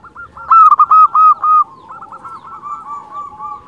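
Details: Zebra dove of a local strain singing as a lure to excite other zebra doves: a brief opening note, then a loud burst of fast, rolling coos, after which fainter, overlapping cooing from other doves continues.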